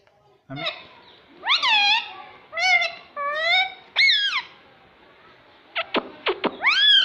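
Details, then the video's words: Indoor talking parrot repeating "mummy": a string of loud, harmonic, word-like syllables with swooping pitch, then quick sharp downward notes and a final rising call. "Talking parrot - Mummy Mummy Bolne Wala Tota"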